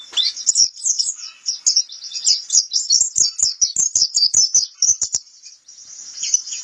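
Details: White-eye song on a training recording, a lively high twitter of rapid chirps over a run of regular clicking ticks, ending in a smoother thin warble.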